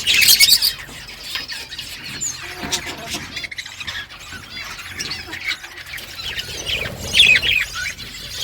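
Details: Budgerigar flock chirping to one another on a morning: dense, overlapping high warbles and squeaky chirps, loudest in bursts at the start and again near the end, with quieter continuous chatter between.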